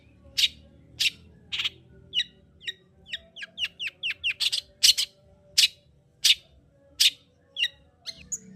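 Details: Long-tailed shrike singing to stimulate singing in another bird: harsh rasping notes alternate with quick runs of short downslurred chips and a final high thin whistle, delivered rapidly over a faint hum.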